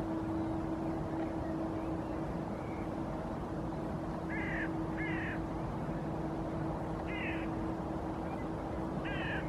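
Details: Male common goldeneye (Bucephala clangula) in courtship display beside a resting female on a bay in Helsinki, Finland, April 2023, giving short, harsh, nasal creaking calls a second or two apart over a low hum and rushing noise.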